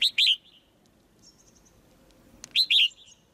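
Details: High, downward-sliding paired chirps from a caged female white-eye, calling to make the male sing more strongly; one pair opens the recording, another follows about two and a half seconds later, with a faint thin whistle between.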